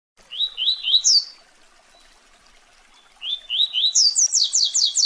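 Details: Coleiro song of the fast tui-tui type, used for training and conditioning young birds: a series of rising whistled notes, a pause, then quicker rising whistles running into a rapid descending sequence.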